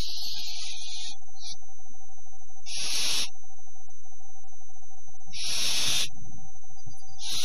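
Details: Almost fully grown barn owl owlets at quiet dawn after a wet, windy night, 5–6 October 2015, give long, harsh, breathy hisses of about a second, repeated every two to three seconds over a steady electrical hum.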